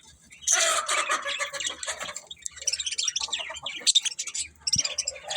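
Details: Budgies chatter continuously in a busy, warbling stream of high chirps and squeaky notes, with a single sharp click near the end.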